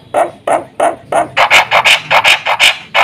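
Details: Black-winged myna giving harsh, rasping calls as part of its busy fill-in song, used to lure and tutor other mynas: evenly spaced scratchy notes, quickening into a rapid, noisy chatter.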